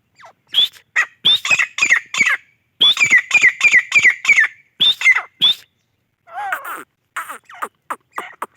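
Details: Grey francolin, or gora teetar, in its masti call: rapid, piercing, ringing notes delivered in quick runs of several, with brief breaks, then a series of rougher, lower, scratchy notes.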